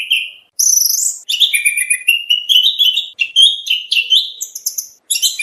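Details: Oriental magpie-robin training song for bird contests: a busy flow of whistled, slurred and chirping phrases at varied pitches, with several sharp high notes and quick pauses between bursts.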